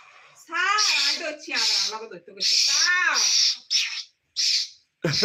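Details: A pet talking parrot mimicking human words indoors, its voice coming as hoarse, harmonic, speech-like syllables with a hissy edge, delivered in several bursts over five seconds with short pauses between them.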